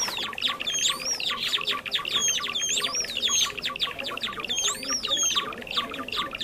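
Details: Java sparrow lure sound for trapping: loud, dense chirping from a crowd of birds with frequent curving whistled notes that rise then fall, repeated throughout.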